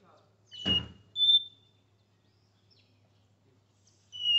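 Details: Caged Capped seedeater in São Paulo, Brazil, singing Porta-voz style: a few clear whistled notes, one rising to a higher pitch, with a sharp knock and low hum behind.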